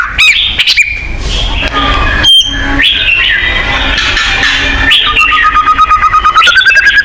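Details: White-rumped shama song from a compilation of selected songs used as a lure to get kept shamas singing and territorial; loud varied whistles and chattering notes with harsh bursts over a busy, noisy background.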